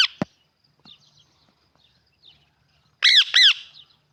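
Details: A pet parrot gives a sharp high screech, then near quiet with faint chirps, ending in two loud rasping squawks with arched, harmonic-rich notes.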